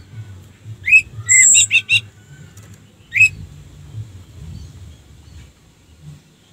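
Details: Orange-headed thrush singing as a lure for rival birds: a few short phrases of rising whistles and rapid stacked chirps near the start, then a lone upslurred note and quiet background.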